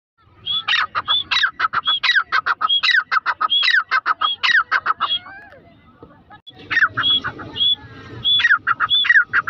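Grey francolin calling in loud, harsh, rapidly repeated notes, a ringing rhythmic series that pauses briefly and then starts up again.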